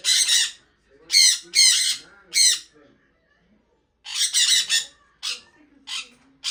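A sun conure gives loud, harsh, high-pitched squawks in short bursts separated by brief pauses.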